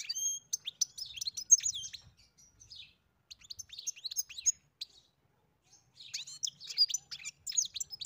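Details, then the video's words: Singing European goldfinch on a farm: bursts of lively, high twittering notes separated by a short pause, then another rapid chattering phrase. "Καρδερίνα μελωδία (Goldfinch carduelis SINGING)"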